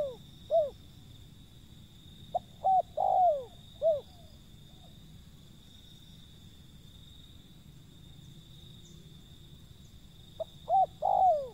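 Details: Cooing of a wild zebra dove, a few low phrases of short arched coos with a drawn falling note, separated by long quiet gaps filled with a low hum.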